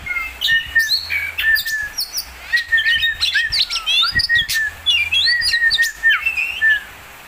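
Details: Oriental magpie-robin in full, vigorous song: rich whistled phrases with rapid chirps, upward slurs and repeated mid-pitched notes, delivered in dense bursts that end in a brief quiet moment.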